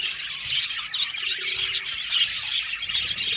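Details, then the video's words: Many budgies in an aviary colony chirping at once, quick bright tweets and chattering warbles packed closely together, with a faint low hum underneath. "Beautiful budgies singing sound | budgies chirping sound"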